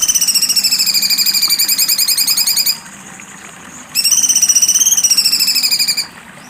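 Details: Cucak cungkok giving its sharp 'besetan' song: two long buzzy, rapidly pulsed high trills with rich harmonics, each holding an even pitch for a few seconds, separated by a short gap of faint background hiss.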